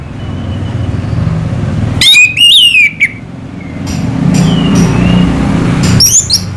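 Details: Orange-headed thrush, in Indonesia called anis merah, sings in the slow selow style: loud clear whistled phrases with rising and falling slurs, a burst then a pause and another short phrase, over low rumbling background noise.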